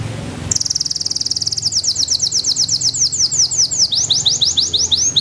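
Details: Belgian Bossu canary, a small, hunched-posture canary breed kept for song contests, sings a fast run of bright rising and falling notes, first steady trills then broader repeated sweeps, with faint low hum beneath.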